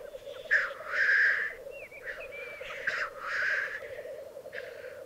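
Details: Lek of black grouse in the Piedmont Alps, Italy, 2022: sneezing hiss calls repeat roughly every second, interspersed with brief upslurred squeaks, all over a constant low bubbling chorus.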